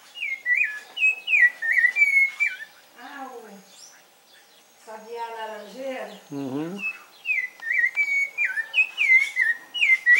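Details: Rufous-bellied thrush song of rapid, repeated whistled phrases with quick up-and-down turns, broken midway by a few seconds of harsher, lower, buzzy rasping notes before the clear whistling returns.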